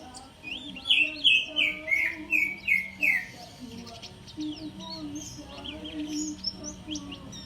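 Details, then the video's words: Oriental white-eye singing: a run of bright, high chirps slurring downward, repeated quickly for about three seconds. The phrase then fades into softer scattered twitters over a low background hum. "siul burung pleci"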